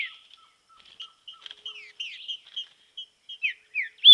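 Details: Training green-winged saltator in a natural setting: scattered short soft notes give way to evenly spaced whistles that slur downward, closing with a loud sharp note.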